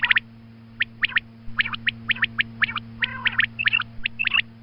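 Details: Morning calling of a female quail, meant for hunting: crisp, high clicking notes in pairs and small groups, spaced irregularly, with one brief rougher nasal note midway and a constant low hum underneath.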